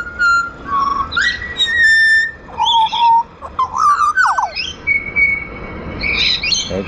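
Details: Tame wild pied butcherbird in Australia singing on request before being hand fed: a varied run of clear whistled notes, some flat and held, some sliding or warbled, with a quick rattling burst midway and soft outdoor background.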